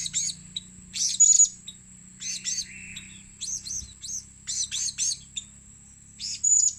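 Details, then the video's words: Blue-crowned hanging parrot lure calls: repeated short bursts of sharp, very high chirps about every half second to a second, with a soft lower buzzy note once, over a steady thin whine. "burung serindit gngster memikat"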